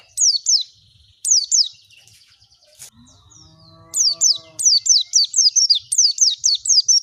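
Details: Oriental white-eye song used as a lure to get a bird singing: high, down-slurred whistles in pairs, then a brief low droning tone, then a long run of rapid descending strokes repeated steadily.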